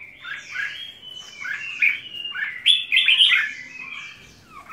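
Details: Red-whiskered bulbul delivering a rapid, continuous run of chirpy warbled notes, bright and fairly high, with a few louder peaks.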